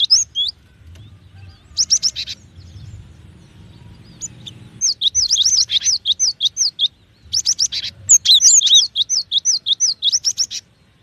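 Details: Cinereous tit alternating short harsh chattering bursts with long, fast runs of clear two-note whistles, high then low, over quiet low background noise.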